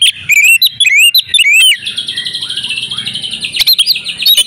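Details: Oriental magpie-robin female in breeding condition, used to lure males into singing: a fast run of rising, slurred whistles for nearly two seconds, then a long thin sustained high tone with a few sharp clicks.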